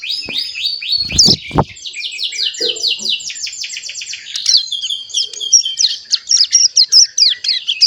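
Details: A captive Hill Prinia fledgling, over a month old, learning its song, gives a fast sequence of slurred high notes that merge into a jumbled twittering chatter. Brief low knocks sound near the start.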